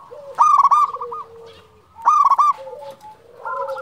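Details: Zebra dove of local stock, a champion caller, delivering two strong bursts of fast stuttering coos about one and a half seconds apart, with quieter dove cooing running underneath.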